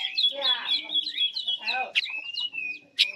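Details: Chinese hwamei song used as a bait recording for trapping: a steady high whistled trill with overlapping rougher, harmonic-rich sounds, then long sliding whistles and a sharp note at the end.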